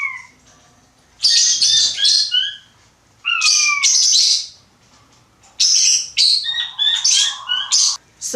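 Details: Button quail kept as an indoor pet, crowing in a chicken-like way: three separate bouts of high, descending whistles and squeaky slurs, each lasting one to two seconds, with quiet pauses between.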